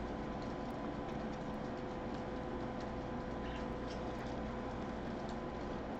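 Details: Dense, steady broadband rumble and hiss like machinery or passing rail traffic, with faint regular ticks and no animal calls.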